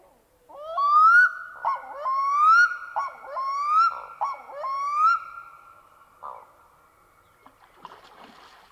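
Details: Black-throated loon, likely a male, calling on a lake in Sweden around midnight: a run of about five rising, wailing notes, each sliding up then held, followed by quiet with faint water sounds.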